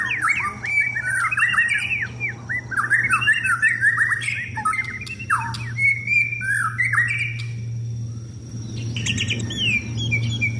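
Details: Contest-bound caged white-rumped shama singing during sunbathing. Fast, varied, loud phrases of rising and falling whistles and slurred notes tumble together. Fainter high chirps from other birds sit in the background.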